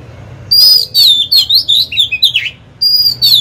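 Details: Decoy Oriental magpie-robin singing to draw rivals to fight, a loud run of sweet, varied whistles swooping up and down, ending in a brief pause and a fresh high whistled note.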